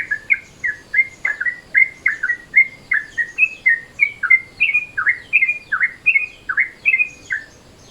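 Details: Sooty-headed bulbul in midday mode, played as a lure: clean, separate whistled chirps of about a second each, alternating up-flicks and down-slurs, repeated without pause over a quiet background.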